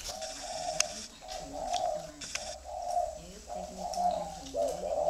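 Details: Spotted dove giving a run of soft, hollow coos, about one a second, each a short steady hum, with low rumbling sounds and a few sharp clicks in the background.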